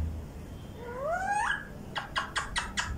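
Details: Rose-ringed parakeet kept as a talking pet in Vehari, Pakistan: one smooth, rising, whistled phrase with clear overtones, then a quick series of about six harsh, clipped chattering notes evenly spaced over a second.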